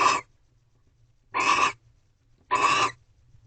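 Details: Barn owl mating ritual at night inside a nest box at Corral, 3/2/23, 1:13 am: three coarse, hissing screeches of about half a second, roughly one to one and a half seconds apart, over a faint low hum.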